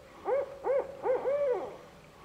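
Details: A barred owl calls back to a distant barred owl, its mate, with four rounded hoots in quick succession, each rising and falling and the last drawn out longer; the background is quiet.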